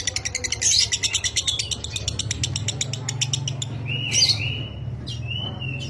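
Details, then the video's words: Lovebird in the dry minor song style, kept as a training master for pet birds: brief rapid chatter of chirps fading out, followed by two separate slurred whistles, low hum throughout. "Masteran Suara Lovebird Minor Kering, Terbukti Cepat Cetak DOBELAN"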